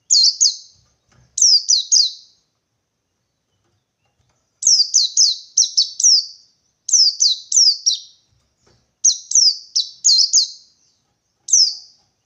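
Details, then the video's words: Wild white-eye singing a '123' beat pattern to provoke rivals: bursts of two to five quick, shrill falling chirps repeated in groups over twelve seconds, separated by short silences, no background noise. "Burung Pleci Ngalas 123 Mencari Lawan, Merangsang Bunyi Pleci"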